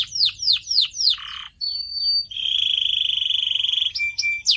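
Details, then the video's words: Canary song for training pet birds: a run of four down-slurred whistled notes, a buzzy burst, a thin high whistle, then a long rapid rattling trill and short sharp notes, all high-pitched. "CANARY SINGING SOUND"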